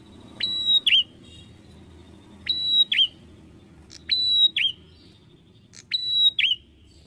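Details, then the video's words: Bar-winged prinia repeats its piercing two-note phrase four times, about every one and a half to two seconds. A held, level whistle drops into a short, curling note, over a soft low murmur. "PRENJAK ATAS"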